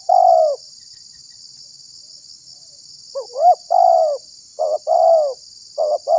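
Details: Spotted dove coos used for trapping and baiting other doves: one long coo, a pause of nearly three seconds, then rising notes followed by repeated short-long coo pairs, over constant high-pitched hiss.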